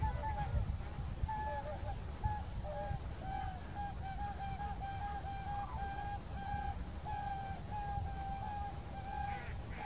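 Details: Whooper swans at Kuligów, Poland, 16 February 2018, described as dancing and calling, trumpeting in a steady run of loud, brassy honks about every half second over a low rumble of wind or water.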